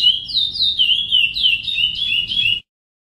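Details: Praia-style song of a chestnut-bellied seed finch, used to train young birds: a short run of pure descending whistles joined smoothly, roughly three per second, over faint low background hum, ending suddenly.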